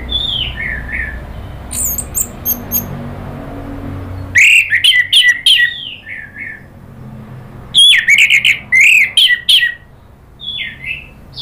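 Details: Agitated Orange-headed thrush in lure singing. Slurred falling whistles alternate with bursts of sharp high chips, delivered in two energetic clusters separated by quieter pauses.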